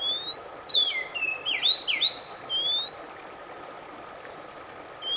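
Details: Oriental magpie-robin song for calming a stressed bird that will not sing: a rising whistle, a run of looping whistled notes, then another long rising whistle, followed by quiet hum.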